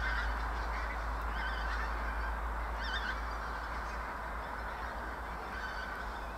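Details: Pink-footed geese near Clatto Reservoir outside Dundee give a steady chorus of overlapping honks and higher 'wink-wink' notes, several calls a second, over a low rumbling background.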